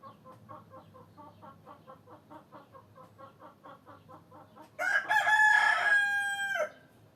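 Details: Hens and a rooster: steady rhythmic clucking about three times a second for nearly five seconds, then a loud, harmonic-rich rooster crow lasting about two seconds that drowns out the clucks before fading.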